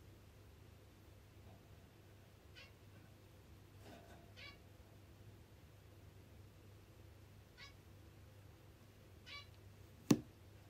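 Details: Pet zebra finch approaching for a massage with food on its beak utters five short nasal calls spread irregularly, some paired, against quiet low hum, ending with a loud sharp tap.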